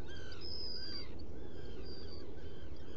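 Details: Black guillemot at a nest burrow on Seal Island NWR, Maine, recorded 30 June 2018 between 01:55 and 02:55; thin, high, drawn-out whistles, some slightly wavering, over a constant low rumbling background.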